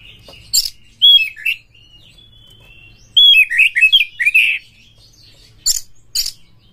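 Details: Lure song of a kacer (Oriental magpie-robin) in konslet style: clear looping whistles alternating with harsh scratchy bursts, a thin steady whistle, then a fast cluster of warbled notes and sharp rasps.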